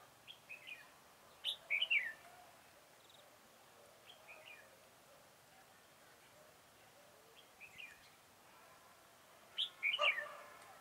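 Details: Red-whiskered bulbul heard at a trapping site on 4 February 2018: a quick twittering phrase of a few slurred notes near the start and another near the end, with quiet chirps in between.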